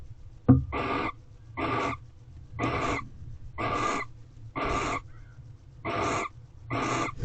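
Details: Barn owls in an owl box during their mating period, on the eleventh night of mating, 28 February 2023. Harsh, breathy hissing bursts, each under half a second, repeat about once a second over a faint low hum.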